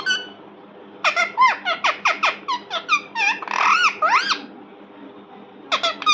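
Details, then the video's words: Pet parrot indoors giving a quick series of squeaky chirps, each a short note sweeping down then up, about a dozen in a row, then silence and a few more at the end, over a low steady background hum. "Parrot sound Parrot talking"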